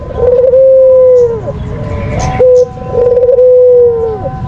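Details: White dove giving a lure call: long, smooth, even-pitched coos, each about a second, falling away at the end, with a short clipped note between them and background hum.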